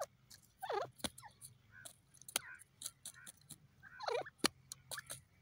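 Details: Grey francolin, known locally as teetar, calling in two harsh warbling bursts a few seconds apart, with metallic clicks in the background.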